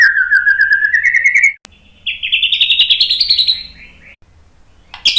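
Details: White-rumped shama provoking song: a long rising trill of rapid repeated notes, a short click, then a second, higher rising rattle-like trill, ending with a sharp high note.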